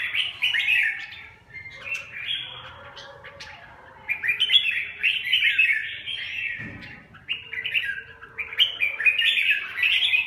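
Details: Lively chattering and whistled warbles from a red-whiskered bulbul, given in several separate runs of quick, tumbling notes.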